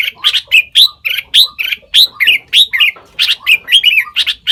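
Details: A mimicking sooty-headed bulbul (nok taet), said to copy over five bird species, delivers a loud, lively run of sharp chirps and rolling warbled notes, roughly four per second, with brief pauses between phrases.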